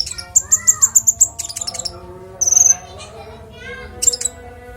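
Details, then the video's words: Konin (Oriental magpie-robin) clear song for training songbirds: a string of six very high sharp notes, a burst of mixed chatter, a bright high slurred whistle, and a final short chip, with faint background hum. "Konin bongkar isian suara jernih cocok untuk masteran burung kicau"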